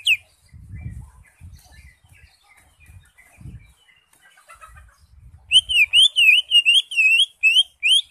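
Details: Caged green leafbird singing energetically, used to prompt a silent bird to sing: after about five seconds of low thumping and scattered faint chirps, loud whistled notes rise and fall in a rapid repeated series.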